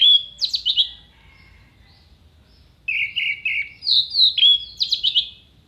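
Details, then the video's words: Orange-headed thrush, recorded for training songbirds for contests, sings a high whistle followed by fast rattling trills, a quiet gap, then three repeated lower notes and more rapid, high, descending trilled phrases. "MASTERAN ANIS MERAH GACOR FULL ISIAN TEMBAKAN TAJAM VOKAL JERNIH DURASI PANJANG ISIAN BURUNG LOMBA"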